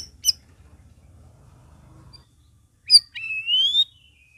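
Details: Sooty-headed bulbul singing as a prompt for other cage birds. A brief high chip comes first, and later a sharp note leads into a long, smooth whistle rising gently upward.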